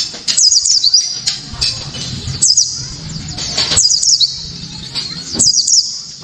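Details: Japanese white-eye giving loud, sharp song to provoke other white-eyes: clusters of high, quick zigzag twitters recurring roughly every second, with faint low background noise.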